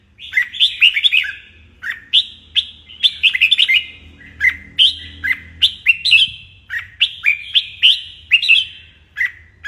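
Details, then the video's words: Morning training song of a caged red-whiskered bulbul: sharp, ringing whistled phrases repeated almost continuously, each a quick chain of upward and downward slurred notes, with a low background rumble. "Luyện chào mào hót sáng"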